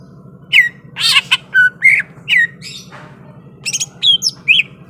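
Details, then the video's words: Greater green leafbird in fighting readiness mixes harsh squawky bursts with clear downslurred whistles at irregular intervals, a soft low hum running throughout. "SUARA BURUNG CUCAK IJO SIAP TARUNG"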